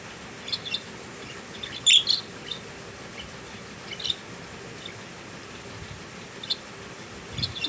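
Budgerigars give brief, sharp chirps and squeaky notes at scattered intervals over a steady background hiss.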